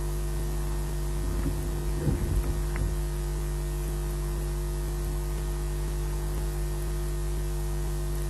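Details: Steady electrical hum throughout, with a few soft knocks and scrapes in the first three seconds and no animal calls.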